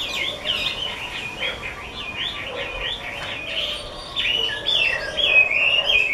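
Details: Chinese hwamei, a caged songbird, pouring out a fast, varied series of clear whistled slurs that swoop up and down, growing louder and fuller toward the end.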